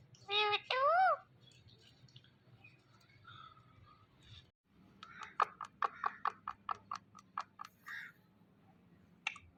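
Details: Talking pet Indian ringneck parrot: two loud, harmonic, speech-like syllables, then a quiet stretch, followed by a fast, irregular series of sharp clicks.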